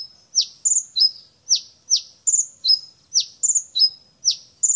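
A Brown-throated sunbird sings a quick, high run of sharp, down-slurred chips mixed with brief thin whistles, about two notes a second. Nothing else is heard.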